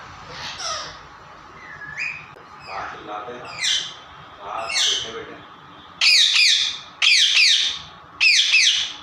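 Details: Pet parrot, or mitthu, in a funny talking session, uttering soft speech-like chattering syllables, then three loud sharp harsh squawks roughly a second apart.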